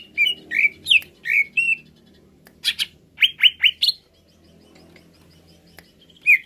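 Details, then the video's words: Cucak ijo, or greater green leafbird, in a rousing recording meant to excite birds: a string of slurred whistled chirps, a brief gap, then quick clipped notes rising in pitch, ending with one late chirp; faint background hum. "Merangsang Cucak Ijo Cepat Naik emosinya"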